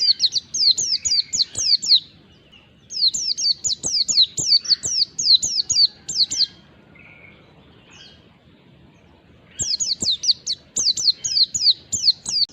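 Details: Wild white-eye lure song played to get other white-eyes responding: three bursts of rapid, sharp, high down-slurred chirps separated by quiet gaps, one with a soft lower note.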